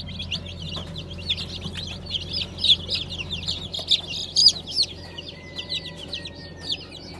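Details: Freshly hatched Brahma chicks from a 20 April 2020 hatch of light, gold and blue birds cheep in a busy burst of high, falling peeps that thins out toward the end. One long, thin whistle-like tone is also heard.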